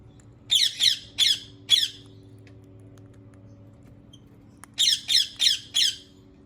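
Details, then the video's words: Rose-ringed parakeet calling in two quick series of four raspy, screeching squawks with a silent gap of about three seconds between them, a faint low hum in the background. "ببغاء الدرة Ringneck Parrot"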